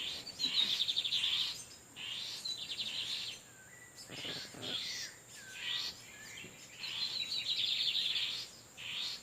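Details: Torniado-style song of wild lined seedeater males answering each other near an incubating female; bursts of fast, high, rattling trills and short downslurred whistles repeat almost without pause.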